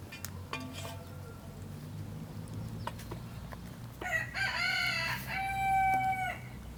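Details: Rooster in a village flock, a strong, rich crow rising then holding steadily for about two seconds near the end, preceded by soft scattered clucks and rustling farmyard noise.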